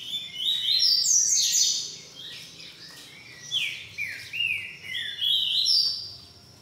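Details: Captive-bred green-winged saltator, boiadeiro song type: clear whistled phrases with downward-sliding notes, repeated in loose bursts across the clip, ending on a high rising whistle.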